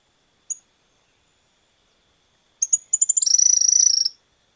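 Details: Cattle Tyrant in Argentina: a lone high thin note, then a stuttering run of sharp, very high chips that speeds into a fast sibilant twittering trill lasting about a second.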